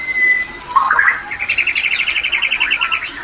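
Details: White-rumped shama mating call, used to bring shamas into breeding condition: a clear whistle, a short rising warble, then a rapid run of even, repeated chipping notes lasting about two seconds.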